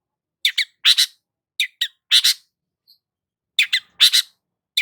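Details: Long-tailed shrike calling energetically, giving scratchy, rasping notes in quick pairs and triplets, grouped into three bursts separated by short silences; clean background.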